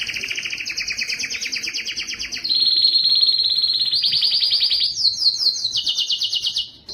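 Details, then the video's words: Singing canary, a recording aimed at challenging male canaries to sing louder: fast buzzy trill, a level whistled phrase, then higher rapid pulsed trills of sweeping notes, continuous throughout. "صوت كناري مميز لتحفيز الذكر على التغريد"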